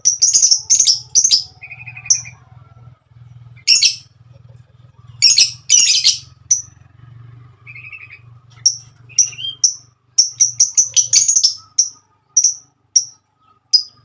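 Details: Female lovebird singing a long chattering song: bursts of dense, harsh high twittering alternate with runs of sharp single chirps, plus brief lower buzzy trills and a faint low hum beneath.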